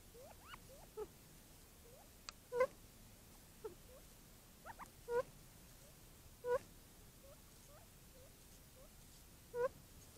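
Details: Mostly male quail drinking in the morning give soft, scattered calls: short upslurred and downslurred notes and a few clucks, several birds overlapping irregularly, with louder single notes every few seconds against a quiet hiss.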